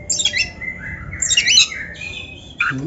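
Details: Oriental magpie-robin (kacer) in a practice recording for training: buzzy, scratchy high phrases in two bursts, followed by a short harsher note, over faint background hum.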